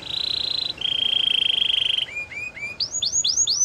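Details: Belgian singing canary in song: a fast buzzy trill held near one pitch for over a second, a slightly lower rolling trill, then a run of short upslurred notes that climb higher and speed up.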